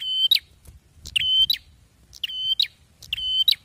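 A bar-winged prinia sings loud, high, piercing notes, each a flat whistle ending in a sharp flick, in paired phrases about once a second.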